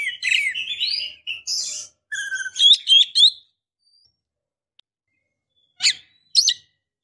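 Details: Female Oriental magpie-robin (kacer) calling a male. Rich run of whistled and slurred notes, then a string of sharp rising chirps. After a quiet gap, two brief high chips follow.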